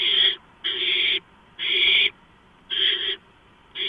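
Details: Gopher delivered to the barn owl nest near midnight on 2 April 2015; a run of broad, raspy hissing calls, each about half a second long, repeated roughly once per second.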